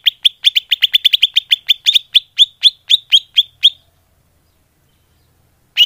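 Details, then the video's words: Greater green leafbird calls played as a bird-trapping lure: a rapid run of about eighteen sharp, high chirps that gradually slows and spaces out, then stops, with one more chirp at the very end. "Suara Pikat burung cucak hijau / leaf bird call"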